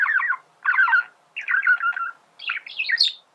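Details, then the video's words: Male budgerigar giving four short chattering phrases, each a quick jumble of buzzy, warbled notes separated by brief pauses, the last rising into higher squeaky notes. "فيديو ممتع لتغريد ذكر بادجي"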